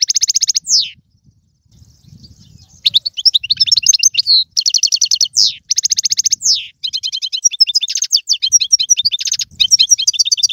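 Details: European goldfinch song played to stimulate a pet goldfinch to sing: fast high twittering trills and buzzy rattles, sliding descending notes, in bursts with short pauses.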